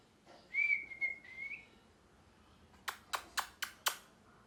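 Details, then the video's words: Parrot whistling one drawn-out note that wavers and rises at the end, then five short harsh squawks in a steady series about a quarter second apart, over low background hiss. "Parrot Chirping Sounds | Natural Parrot Sounds | Parrot Calling Sounds"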